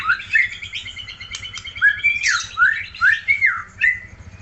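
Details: Aceh white-rumped shama giving a series of bright upslurred whistles, about two per second, mixed with brief chattering notes, against a faint low hum.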